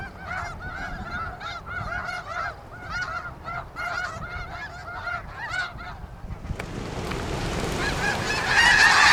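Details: Snow geese at Iona Beach, British Columbia, recorded with a camcorder and shotgun microphone: a flock gives rapid, overlapping nasal honks for six seconds, then rushing wind or noise swells and covers them.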